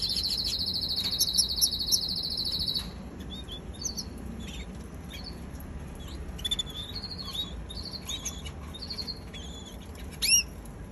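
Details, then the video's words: Young canary: a high, buzzy, rapid trill for the first three seconds, then soft scattered twittering notes and short whistles, ending with one louder chirp, over a steady background hiss. "Baby canary"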